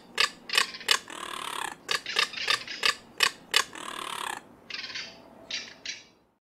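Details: Crested caracara (Caracara plancus) calling in farmland in São Miguel do Iguaçu, Paraná, Brazil: harsh, grating rattled notes, about three per second, trailing off into a few thinner, spaced croaks.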